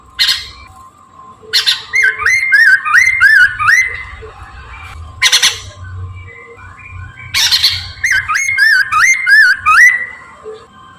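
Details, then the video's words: Chinese hwamei morning song used as a lure: harsh rasping bursts followed by series of looping, upslurred whistles repeated about three per second, in two phrases, with a continuous hum and low rumbling. "kicau gacorr poksay Mandarin dipagi ampuh untuk pancingan dan pikat"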